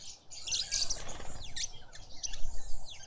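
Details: Red-faced mousebird at a bird bath in a suburban garden in Pretoria, South Africa: high, thin whistles that swoop downward, overlapping busy high chirping from other garden birds over a low background rumble.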